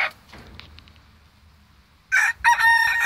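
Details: Ottoman Black Sultan chicken, a Turkish breed kept by a breeder: after near silence with faint scratchy knocks, a short loud harsh crow-like burst begins, breaks briefly, then continues as a strained, harmonic-rich call to the end.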